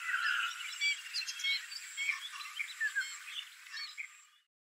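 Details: Sand martins (bank swallows) at a fishing pond in Malim Nawar, Perak, Malaysia, on 10 January 2021, twitter in quick, overlapping bursts of short, dry, buzzy notes over a steady high hiss.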